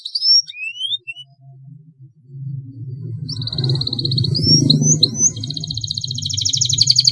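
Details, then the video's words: Master-training canary song: a few high rising whistles, then from about three seconds a fast, steady, high rolling trill that continues to the end, over a loud low humming background. "SUARA kenari ngeroll panjang"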